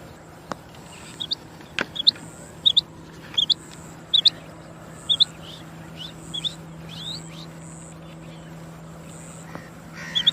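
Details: Chinga batair, the rain quail, calls in a series of high, clipped paired notes spaced roughly every half to one second, then falls silent. A steady high-pitched drone continues in the background.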